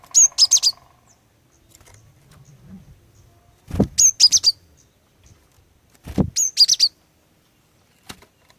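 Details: Cinereous tit female calling males into song: three bursts of rapid, very high chirped notes spaced about two and a half seconds apart, each opened by a dull thump, with a faint low hum early on.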